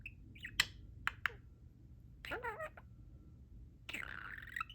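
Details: Pet budgerigar chatting with its owners indoors: scattered sharp clicks, then a warbled, wavering chatter and a longer buzzy, gravelly run of mimicked speech-like sounds, with quiet room noise between.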